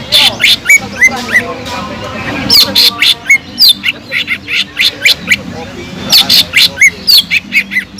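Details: Greater green leafbird mixing kingfisher imitation into its song: rapid, harsh squawking bursts alternating with short sharp whistles, a busy chattering rhythm of about four notes per second.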